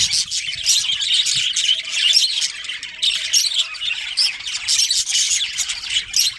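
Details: Budgerigar breeding pair within a colony: a thick wash of scratchy chirps and squawks from several birds, irregular and unbroken, with a faint steady tone beneath.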